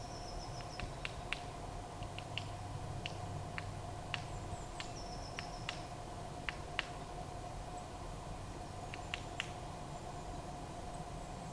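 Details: Nuthatch in a Kent wood in March, holding a nut in a tree crevice and hammering it open; scattered crisp taps at uneven spacing, with thin high whistles of another bird and a low steady hum behind.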